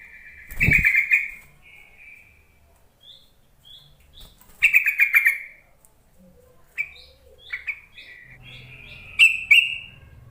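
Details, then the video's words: Yellow-vented bulbul lure call for reluctant singers: repeated loud gurgling bursts mixed with short clear whistled notes, with a thump near the start. "Suara panggilan trucuk untuk memancing trucukan bahan ombyokan malas bunyi"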